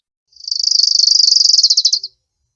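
An Orange-crowned Warbler gives a high, fast trill of about fifteen notes a second. It lasts under two seconds and sags slightly in pitch as it tapers off.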